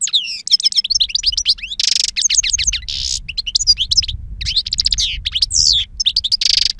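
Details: European goldfinch aged two, singing wild song with powerful timbre: continuous tumbling twitters, metallic trills and repeated harsh buzzy bursts, with faint low rumble underneath.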